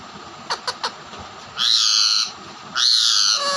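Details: Pet ringneck parrot fighting with a raw parrot: three quick soft clicks, then two loud, harsh, grating screeches of under a second each, rising slightly and separated by a short pause, over a steady background hiss.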